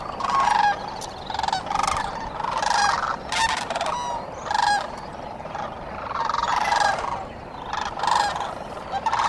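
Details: Many sandhill cranes at dawn by the Cosumnes River give loud, rolling, rattling bugles in bursts every second or two, surging and fading over a constant background murmur of more distant birds.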